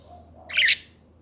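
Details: A single budgie call, one short harsh buzzy squawk rising and falling, against a quiet indoor hum.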